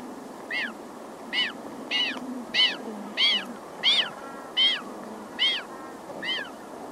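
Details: Very small Magellanic penguin chick crying close up, with adults' aggressive hiss and the colony in the distance: about ten sharp, arched, nasal cries, each rising then falling, repeated roughly every 0.7 seconds.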